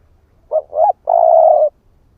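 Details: One phrase from a male spotted dove used as a lure: a short note, a second rising note, then a long even coo lasting over half a second, clean and close.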